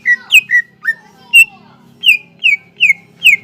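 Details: Greater green leafbird, singing as a lure to get untrained leafbirds singing: varied whistles and slurs at first, including a lower gliding note, then four regularly spaced descending whistles over a soft buzz.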